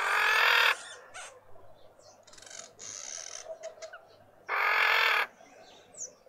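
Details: Red-winged starling female with an injured, deformed beak in a Pretoria suburban garden, South Africa; loud grating rasps open the recording and recur near the end, with shorter scratchy bursts and faint background noise between them.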